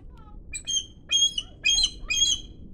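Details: A captive bald eagle protesting keepers entering its enclosure gives four quick bursts of thin, high, chattering squeals, about one every half second, over a faint low rumble.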